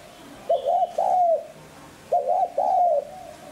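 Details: Repeated coo of a spotted dove, 'hạp bổi sát bổi' voice, used for training and exciting decoy doves. Two mellow phrases about one and a half seconds apart, each a brisk double hoot followed by a longer, slightly falling note.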